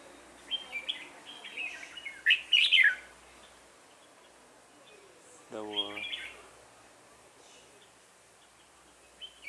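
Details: Red-whiskered bulbul used as a decoy for trapping, 1 October 2018: bright whistled phrases with a loud, rapid warbled burst, followed by a lower pulsing human-made or voice-like sound and more distant whistles.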